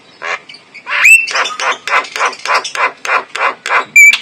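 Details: Male Javan myna with white eyes, recorded as a lure sound with a clear voice: a run of about a dozen harsh, raspy, broadband bursts at a steady pace, with one brief high whistled note near the start and another at the end.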